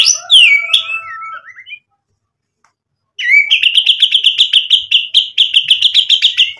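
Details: White-rumped shama song used to make other birds reply: a falling whistled flourish with a low tone beneath, silence, then a long run of quick repeated chirping notes at steady pitch.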